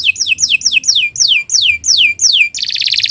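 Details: Morning song of a canary meant for tutoring other birds: a series of clear down-slurred whistles repeated about three times a second, ending in a dense high buzzy trill.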